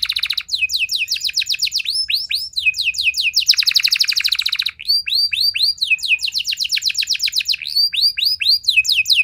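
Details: Canary song played to draw answering song from other canaries, with rising swooped whistles in series, broken by fast rattling trills, then more repeated upward-curving notes, all sung without pause.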